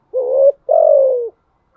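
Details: Spotted dove cooing in the thúc gù style: a short, slightly rising coo, a brief pause, then a longer, steady, slightly falling coo. The notes are low, smooth and hollow, with no other sounds.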